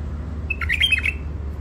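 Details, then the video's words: Wild-caught hybrid songbirds (mules), in their first isolation, give a quick burst of bright, twittering notes lasting about half a second, with sharp chirps and short slurred phrases over a steady low hum. "تغريد مخاليف وحشيات"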